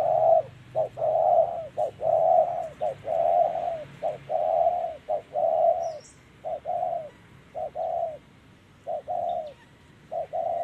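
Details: Spotted dove cooing during a bird-trapping session, singing in the 'giọng thổ' (earthy voice) style; low, hollow coos in paired phrases, a short note then a longer drawn-out one, repeated steadily about a dozen times with short silent gaps.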